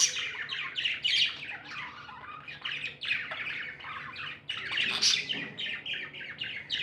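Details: Cheerful tame budgies give a steady flow of raspy chirps and squawks, overlapping calls from more than one bird, over a low background hum.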